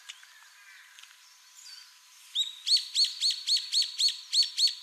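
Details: Wild brown-eared bulbul from Okinawa and Ishigaki, Japan, Ryukyu or Ishigaki subspecies: faint twitters of other birds, then a rapid run of about ten strident descending notes, regularly spaced and loud.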